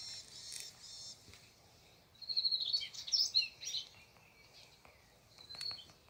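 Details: Morning garden birdsong: a soft buzzy trill at first, then a loud run of high, rapid chirps and twittering notes midway, and a brief sharp chirp near the end, with steady low background hiss.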